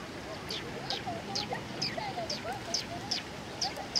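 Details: Sparrows arriving to be fed, 22 September 2020: short, high chirps repeated roughly twice a second over soft lower chatter and background murmur.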